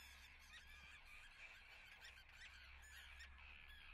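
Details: Nesting common terns at Atlit, Israel, recorded 10 June 2010, call constantly. Many rasping calls overlap into a busy colony din, with a few sharper notes standing out and a low hum beneath.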